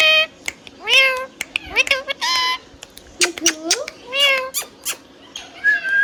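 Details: A hand-tame pet rose-ringed parakeet (Mithu) talks, chattering in short, harmonic, speech-like bursts with rising and falling slurs, a few sharp squeaks, and a meow-like mimicked phrase near the end.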